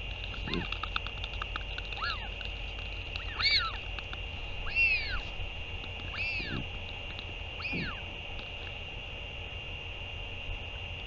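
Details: A northern royal albatross parent comes back to feed its chick, dated 08 06 2023. A series of arched, whining calls about every second, mixed with low muffled thumps and a steady background hum.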